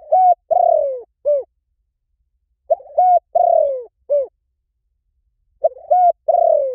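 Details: Lure recording of a spotted dove, its mellow coo phrase of clipped notes, a drawn-out descending hoot and a short closing coo, repeated three times at steady intervals with no other sounds.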